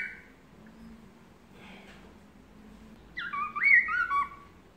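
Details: Melodious laughingthrush master song, meant to make other birds answer, with one short whistle, a quiet stretch, then a loud burst of clear, swooping whistled notes that step up and down.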